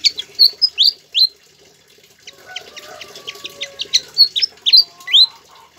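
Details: Pied fantail singing vigorously, a tutor recording: clear high whistled notes that rise and flick upward, in quick phrases, with softer chips between and a second burst of whistles.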